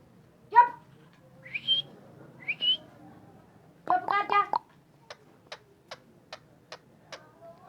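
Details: A talking ringneck parakeet gives a few harmonic, speech-like whistled phrases, then a buzzy burst, followed by a run of six or seven sharp clicks about half a second apart.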